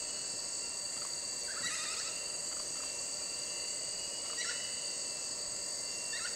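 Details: Great slaty woodpecker pair during courtship display, giving short bursts of harsh, nasal, chattering notes a few seconds apart over a steady high drone of insects.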